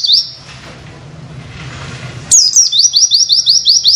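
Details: Oriental white-eye masteran tutor recording with 'witwit' material: after a long quiet stretch of low hum, a burst of quick, high, down-slurred whistles rattles out in a steady, rapid series.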